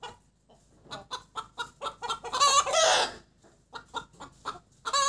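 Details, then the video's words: Hen's post-laying cackle, cục tác: a quickening patter of clucks rising into a long, loud, rasping squawk, then more rapid clucks and a final sharp note. "Gà mái đẻ kêu cục tác"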